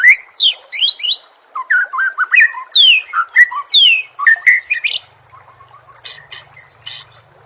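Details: Oriental magpie-robin song from a training recording for songbirds: loud rapid phrases of sweeping, downslurred whistles and chattering notes, then a quieter stretch of high chips over a faint low hum.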